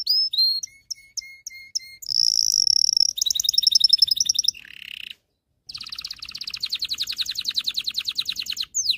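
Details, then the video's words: Excited canary song for training males and preparing females for mating: spaced whistled notes, a high buzzy note, a trill, a lower buzz, a brief silence, then a long rolling trill. "غناء طائر كناري لتدريب والتسميع ذكور الكناري على الغناء Canary singing"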